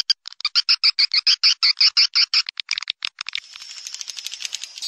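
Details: Swiftlet lure sound for farmers: a quick train of about twenty harsh, rattling pulses, then a thinner, buzzy high trill that carries on to the end.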